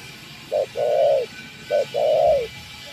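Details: Wild spotted dove responding to a decoy bird with two soft phrases, each a brief low coo leading into a drawn-out mellow note, clear against a quiet outdoor backdrop.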